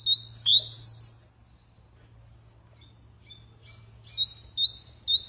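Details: Canary giving a loud run of rising whistles and a sharp high note, then a quiet gap, then softer chips building back into repeated upslurred whistles, with a low steady hum behind.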